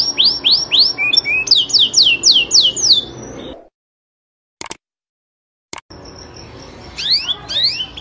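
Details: Gacor canary singing a tutor phrase for champion training: a quick series of downward-sliding whistles and a short rattle, then a silent break with two clicks, and soft rising notes at the end.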